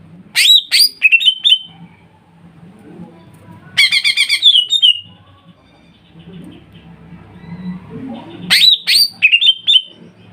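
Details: Greater green leafbird lure song, played to make kuningan-type and ombyokan leafbirds sing at once: three bursts of loud, sharp, descending whistled notes, each burst a quick cluster of slurred chips, separated by quiet gaps with faint low background hum.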